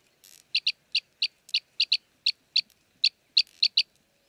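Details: In Jeddah, Saudi Arabia, an Arabian green bee-eater gives bright, clipped high chirps, often doubled, about three per second in a steady run, with a brief soft rustle near the start.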